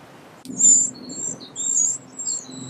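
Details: A family of Eurasian wrens at a big nest beneath a pavilion gives shrill, high squeaky calls in three or four quick bursts, with a soft low hum beneath them.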